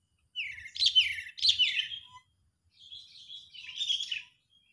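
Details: Sooty-headed bulbul in an agitated state, used as a lure for catching birds: two loud, scratchy, descending chattering phrases followed by softer, rambling twittering.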